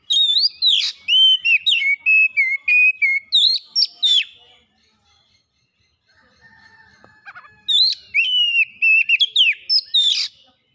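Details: Oriental magpie-robin lure song meant to spark fast singing and show learned phrases: long runs of rich whistled notes with sharp upsweeps, a quieter middle with faint calls, then another lively whistled phrase.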